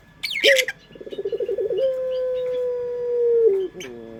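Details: Local dove from Indonesia giving the pelung coo, used to lure birds. A high chirp from another bird, then a quick pulsing warble rising into one long, flat, low note lasting nearly two seconds, ending in a downward slide.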